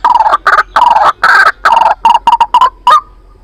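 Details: White-breasted waterhen trapping lure, a loud run of rough, drawn-out croaks that shorten into quicker clipped notes before stopping abruptly.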